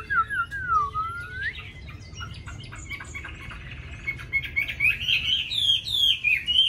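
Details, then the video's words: Chinese hwamei kept in a cage, singing many wild-type phrases: a low, bending whistle, rapid chattering notes, then loud, looping whistled phrases repeated in quick succession. "Mi hót hay đẹp cb8864c nhiều giọng rừng hay mau mỏ"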